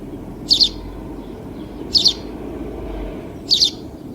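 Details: House sparrow giving a short high double chirp, repeated three times at roughly one-and-a-half-second intervals, over a steady low background hum.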